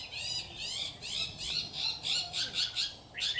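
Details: Red-whiskered bulbul used as a decoy singing from a trap cage, giving repeated bright, warbling phrases of slurred notes about every quarter second, with a sharp rising note at the end.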